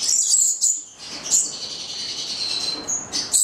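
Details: Pair of 9-month-old Goldie's lorikeets (Charmosyna goliathina) giving thin, shrill, very high screeches in short bursts, with one drawn-out, steady whistle-like note in the middle.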